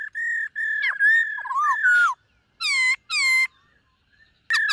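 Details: White-cheeked laughingthrush practising its morning song: long level whistles broken by quick slurred notes, then two rich harmonic calls rising in pitch, separated by silences, and a final whistled note.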